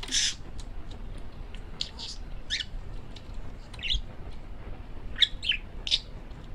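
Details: Male pet parakeet chattering indoors, with scattered short sharp chirps and squawks spaced irregularly across a quiet background.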